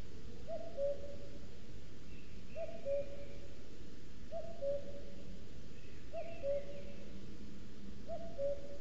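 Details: Male common cuckoo, a summer visitor, singing all day to claim territory in a forest of the Sierra de Guadarrama National Park, recorded by a webcam near a booted eagle nest: low two-note falling cu-coo, repeated about every two seconds, five times, over a steady low rumble with faint higher chirps.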